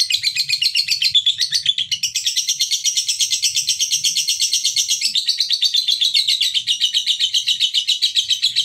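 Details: Male fighter lovebird singing, used as a lure to make other lovebirds, male or female, start chattering: dense, continuous high rapid chatter and trilling without pause throughout, with faint low background rumble.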